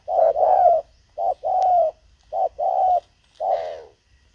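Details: Spotted dove used as a decoy to lure wild doves. It gives low, hollow coos: a short note, then a longer drawn-out coo. The pattern repeats in three phrases over about four seconds against a quiet background.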